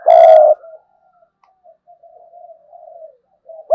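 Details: Spotted dove kept as a decoy bird, uttering one strong, level coo, then a long string of faint, low murmuring notes trailing off.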